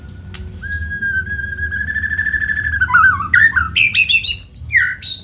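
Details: White-rumped shama song used as a lure to get other shamas singing: sharp high notes, then a long, steady, slowly rising whistle, then a rapid run of varied, tumbling, bending whistles over faint low hum.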